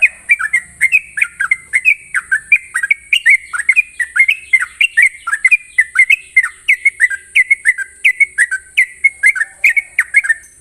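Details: Morning song of a sooty-headed bulbul in 'ropel' style: a long, unbroken chain of quick, liquid whistled notes, mostly dipping then rising, tightly spaced for over ten seconds, with steady high hiss behind.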